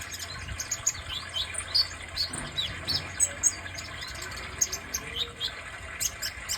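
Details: Kolibri dada merah, a sunbird, delivering high, sharp chirps and brief twitters at irregular intervals, with soft low background rumble.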